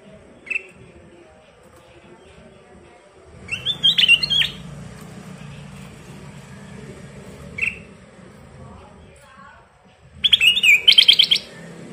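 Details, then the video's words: Ruby-throated bulbul, known locally as kutilang emas, in lively full song used as a training master: two bursts of rapid, warbled high notes, each about a second long, with a lone short chirp between and a low steady hum underneath. "Burung kutilang emas Gacor full isian"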